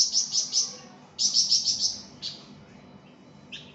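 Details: Pied fantail, called flamboyan, in lively song for tutoring cage birds: two quick bursts of sharp, high, repeated chirps separated by a pause, then a few scattered single notes.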